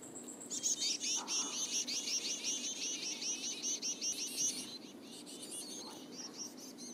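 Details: Black-capped chickadee chicks in a nest in Katmai National Park, southern Alaska, are fed by a parent. They give a rapid chorus of high, thin, buzzy begging notes, many per second, over a faint low hum.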